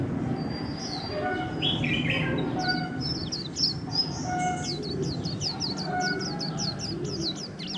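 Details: Caged white-eye, wild-caught and held over a month, singing líu style: scattered high notes, then a long rapid series of sharp, high, down-slurred chirps, over steady low background noise.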